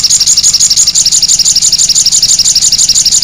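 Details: Cit anten song of a sogon bird, a loud unbroken high trill of sharp notes repeated very evenly about three times per second throughout, clean with no other sounds.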